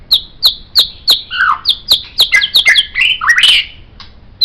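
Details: White-rumped shama song used as a master recording for tutoring songbirds: a run of sharp high chips repeated about three per second, broken by rising whistles and a rapid trilled phrase near the end.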